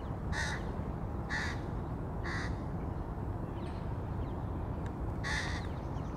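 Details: Crow feeding the young, 2022: four harsh, hoarse caws, the first three evenly spaced about a second apart, then a pause before the last, over a continuous low rumble.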